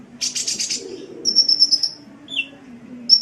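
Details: Sunbird song for masteran, the Indonesian practice of tutoring cage birds: a burst of rapid buzzy high notes, then a thin whistled trill of quick repeated notes, a short lower slur, and a final trill start.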